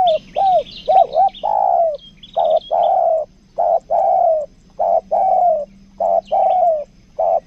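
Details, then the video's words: Caged lure spotted dove, kuk dua type, Lombok, cooing almost nonstop: loud, deep, hollow notes, some short and some drawn out, in rapid uneven runs, with faint high chirping of other birds. "PIKAT TEKUKUR KUK DUA"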